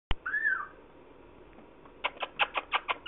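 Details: A 16½-week-old male African grey, kept as a pet, gives a sharp click and one short slurred whistle. After a pause comes a quick run of about eight clipped, pulsed notes, with a woman's voice talking to the bird just after.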